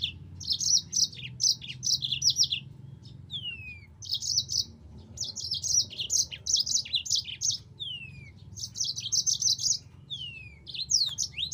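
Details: Yellow-fronted canary singing a tutor-recording song: bursts of rapid, bright, high-pitched trilled notes alternate with single clear down-slurred whistles, phrases recurring every couple of seconds over a faint low hum.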